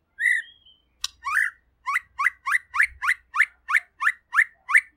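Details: Murai pastor white-rumped shama, said to sing clearly and often, gives a whistle and a sharp click, then a steady series of about a dozen identical rising whistled notes.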